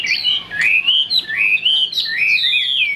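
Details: Caged Chinese hwamei, a big bird with a fig-leaf tail said to sing high, repeats long fluid whistled phrases that rise and fall in smooth waves, clear and high, about one phrase each second.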